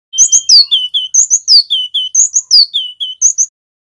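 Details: Male cinereous tit of the local Javan wingko type, singing loudly in ngerol style, a training and lure song for wild-caught birds: a fast, unbroken run of high sharp chips and downslurred whistles for about three seconds.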